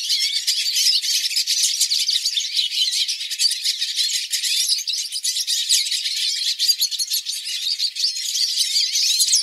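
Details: A flock of hooded siskins (Spinus magellanicus), recorded live, sings at once: a dense, unbroken chatter of high twittering and buzzy trills with no pauses.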